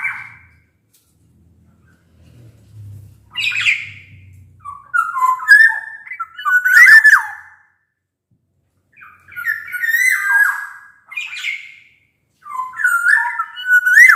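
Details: Black-naped oriole in full song, meant to prompt lazy orioles to sing: a mix of harsh nasal notes and fluty whistled phrases, about six bursts with short pauses, some with sharp upward flicks.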